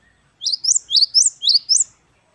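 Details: Great tit (Parus major), locally gelatik batu wingko, singing in the 'wucit wucit kristal' manner: three clean repetitions of a high two-note phrase, each a rising chirp followed by a piercing upper note.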